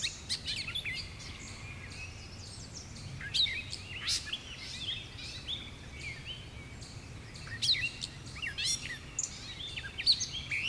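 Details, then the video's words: Gray Catbird on 30 May 2019 at New Leaf Trail, Jackson County, Michigan, giving short bursts of varied squeaky, chattering notes in several separated runs, over a steady low background hum. "Gray Catbird"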